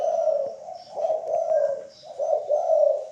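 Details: Derkuku, or spotted dove, singing in the 'kuk 3' style for cage-bird training: continuous low, warbling coos in rolling swells of about a second, with faint high whistles and light clicks behind.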